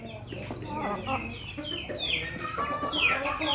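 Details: A young pelung-bangkok crossbreed rooster with a red comb in Yogyakarta gives short, ragged crowing phrases with harsh falling notes, mixed with clucking, over a busy farmyard background.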